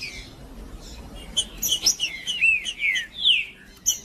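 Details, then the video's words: Male Green-winged saltator in macheando singing to provoke other males: a quiet start, then a rapid string of descending whistled slurs mixed with high sharp notes. "Melhor Trinca-ferro Macheando com Trinca ferro cantando Para Esquentar Trinca ferro"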